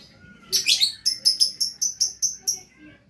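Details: Lovebird singing gacor: a burst of scratchy notes running into a steady string of about eight bright, piercing chirps, roughly four per second.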